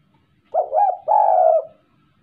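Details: Spotted dove courting, giving a two-part coo: a short wavering opening note followed by a longer, steady, mellow hooting note, low and soft, against a quiet background.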